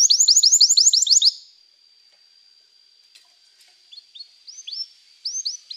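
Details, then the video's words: Canary song opening with a loud, rapid trill of repeated swept notes for over a second, then a long thin steady tone and scattered, softer upward-slurred chirps. "toque imediatamente este encantador som de canário"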